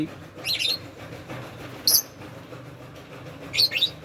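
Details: Indian ringneck parrot, a pet, squawking during bath time: three short, scratchy high-pitched bursts separated by quiet gaps, with faint background noise.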